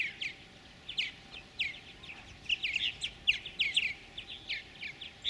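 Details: Purple martin chicks in a gourd nest at a bird farm near Lacombe, Alberta, Canada, in 2017, being fed by a pair of adults; faint, scratchy high chirps come in clustered bursts.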